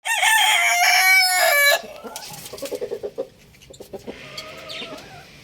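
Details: Young rooster running about and crowing loudly: one harsh, harmonic-rich crow lasting under two seconds, followed by softer clucks and scattered farmyard noises.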